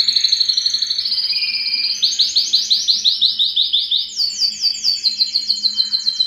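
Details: High, fast rolling trills from a yellow canary, with syllables repeated many times per second in several phrases that climb and then hold steady.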